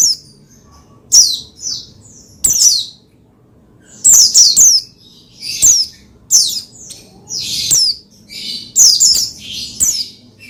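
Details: Pleci, the Oriental white-eye, singing to rouse other pleci into song: bright, very high chattering phrases in quick irregular bursts separated by brief pauses, with sharp clicks at the start of several phrases and a quiet background.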